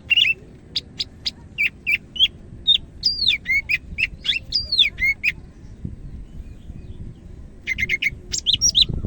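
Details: Medan greater green leafbird singing strongly: a rapid chain of sharp high notes and down-slurred whistles, a short pause, then a further burst of quick repeated chips.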